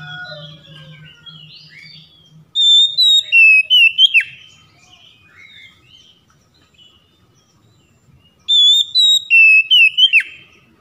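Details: Oriental magpie-robin singing, used to coax silent birds into full song: softer varied whistled notes, then the same loud phrase of long pure whistles with a sharp downward swoop, repeated twice about six seconds apart, with faint low hum.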